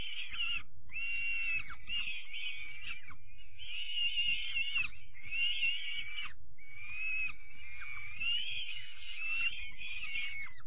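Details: Young peregrine falcons getting their evening meal on 5 May 2021 repeat roughly seven harsh, drawn-out wails, some rising slightly, with low bumps and rustles from the feeding.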